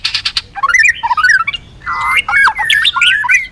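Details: White-rumped shama, with a female singing to stimulate males: a loud, harsh burst opens, followed by a rich mix of warbled, sliding whistles and squawky notes that rise and fall in quick succession.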